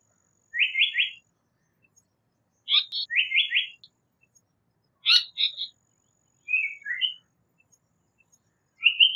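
Japanese paradise flycatcher singing short bursts of quick, high, slightly buzzy notes, with phrases coming every two seconds or so against a quiet background.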